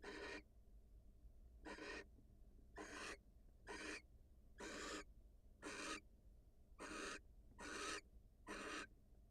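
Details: Female barn owl, wild, leaves the nest to kiss her mate; nine rough, wheezing hisses run in a slightly uneven series, mostly about a second apart, over low constant hum.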